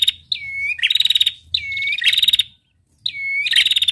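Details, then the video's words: Female red-headed prinia gives three high phrases about a second and a half apart, each a thin downslurred whistle followed by a fast, dry, ticking trill. "prenjak betina gacor ngetirr"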